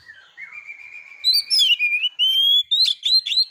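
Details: Oriental magpie-robin singing against a rival to provoke it: a long rising whistle followed by loud, clear whistled phrases in rapid succession, some sliding downward, ending with sharp chips.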